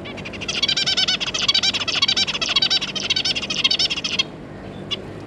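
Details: Captive pair of zebra finches with their three juveniles, recorded 9 June 2022; a dense run of rapid, nasal, buzzy chattering notes for about four seconds, then quiet with a single faint note.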